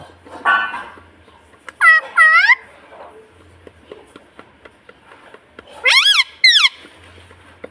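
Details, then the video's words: A pet parrot in India says "mummy" twice, a clear, shrill two-syllable word sliding up then down in a squeaky, voice-like tone, after a brief rasp, over a faint hum. "Mummy Papa Bolne Vala Parrot 🦜 Talking mummy papa"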